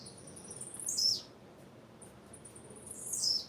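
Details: Two high-pitched, downslurred chirps from a female blue-black grassquit, about two seconds apart, each preceded by faint thin peeps, over a soft background hiss.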